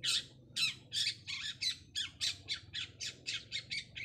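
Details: Long-tailed shrike singing trotol style to seek an opponent: a steady string of about fifteen harsh, buzzy, chattering notes, roughly four per second, each sharp and high, with no other clear sounds.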